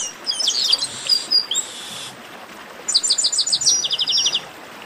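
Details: Garibaldi, the chestnut-capped blackbird, giving its baderna song, used to get other songbirds singing: dense clusters of very high chirps, a buzzy stretch, then a fast even series of about a dozen sharp repeated notes.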